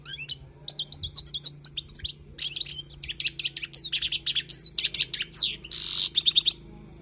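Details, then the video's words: Wild goldfinch song intended for teaching: an energetic, almost continuous stream of high twittering notes mixed with buzzy, rasping phrases and a short harsh trill near the end, over a steady faint hum. "تغريد حسون خلوي للتعليم"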